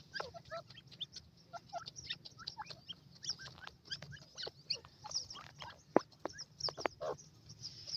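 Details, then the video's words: Grey francolin (dakhni teetar) chicks playing on warm ground: a dense scatter of short, high peeping and chirping notes, many overlapping and sometimes clustered, with a few louder sharp chips and a steady low hum underneath. "dakhni teetar k bachay garm zameen khail rahay,white partridge baby voice"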